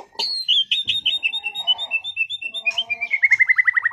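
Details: Caged white-rumped shama, a competition-class bird from Sragen, delivering a long sequence of clear whistled notes that step gradually downward, ending in a fast, evenly repeated series of descending slurs.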